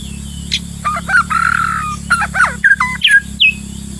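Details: White-rumped shama in the wild during trapping: a varied run of clear whistled notes, including a drawn-out wavering whistle, short upward and downward slurs and a few high sharp notes, over a steady low hum.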